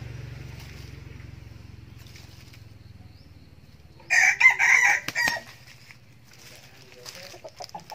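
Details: Young male red junglefowl kept as a decoy bird, crowing: one loud harsh broken crow of about a second in several choppy segments midway, after quiet low hum, with faint rustling afterwards.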